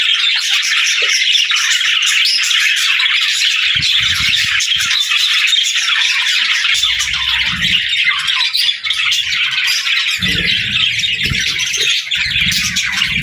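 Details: Budgies chirping and singing together, a dense, continuous high warbling chatter of twitters and squeaks, with a few soft low thumps near the end.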